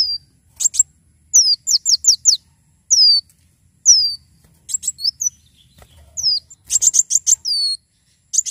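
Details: A Javan sunbird in full energetic song, meant for tutoring and as a lure: rapid runs of thin, high, downward-sliding whistles mixed with bursts of ticking chirps, repeated in phrases about every second, otherwise quiet.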